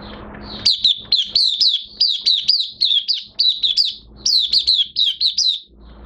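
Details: Oriental white-eye in minor moult singing a long, continuous string of high, sweet, down-slurred chirps, evenly spaced several per second, with a brief break before a final flurry.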